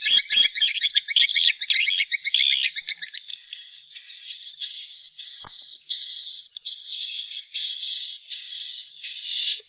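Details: Swiftlet calls for nest-house owners: about three seconds of quick chirps and crackling chatter, followed by a series of sustained, thin buzzy trills broken by brief gaps.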